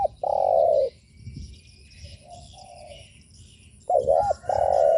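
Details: Spotted dove lure call to provoke other doves: a long steady coo, a quieter softer coo in between, then a wavering double note and another long sustained coo, faint chirping behind.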